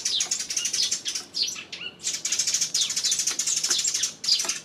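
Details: Sparrows on 28 May giving continuous high chirping and twittering, several birds calling at once in busy overlapping bursts, with a short lull near the middle and a final burst of chirps.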